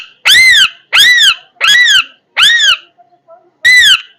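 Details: Parrot uttering loud, high, arched squawks about half a second long, four in quick succession, then a short pause before a fifth, with a quiet indoor background.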